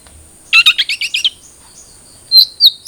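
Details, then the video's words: Long-tailed shrike (cendet trotol) song for prompting a captive bird: a brief rattling run of harsh warbled notes, a pause, then two sharp upslurred whistles. "Pancingan Cendet Trotol Agar Cepat Bunyi"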